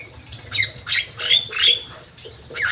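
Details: Crewet bird in an aviary, giving high, scratchy chirps in quick bursts, about five notes in under three seconds, with a faint steady hum behind.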